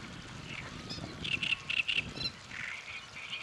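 Great reed warbler song: loud, harsh, grating notes repeated in quick rhythmic bursts, with a croaking frog-like timbre over a low background rumble.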